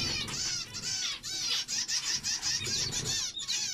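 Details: Buzzy, nasal zebra finch phrases repeated about two to three times a second, bright toy-trumpet notes with brief gaps between bursts.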